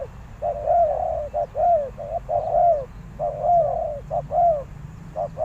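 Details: Spotted dove used as a decoy, calling to attract wild doves; steady run of mellow two-part coos, brief lead note followed by a drawn-out downward slur, roughly one per second.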